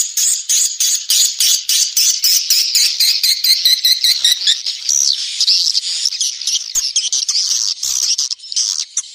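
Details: Lure sound for drawing swiftlets during the rainy season: a crowded chatter of high chirps pulsing in rapid bursts, about a hundred and more per minute, with sharp clicky notes throughout.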